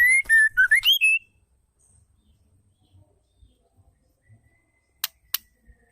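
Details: Calling female white-rumped shama, a sound meant to make males sing: a rapid series of about six pure whistled notes, flat and upslurred, over a second, then quiet with soft thumps and two sharp clicks.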